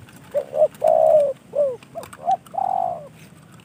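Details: Captive decoy spotted dove, received as a gift, gives soft cooing: short notes around a long level coo, then a falling coo and a final drawn note.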